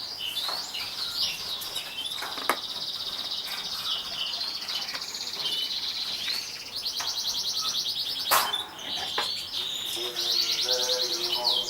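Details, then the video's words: Atlantic canary, a 2014 competition winner, delivering long sustained high rolling trills that shift pitch in places, with clicks and human voices near the end. "kicau burung kenari juara 2014"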